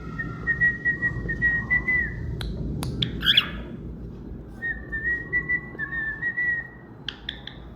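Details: Pet cockatiel whistling its song: sustained, gently wavering whistled phrases, broken by clicks and a squeaky chirp, then another long melodic whistle ending in short chirps.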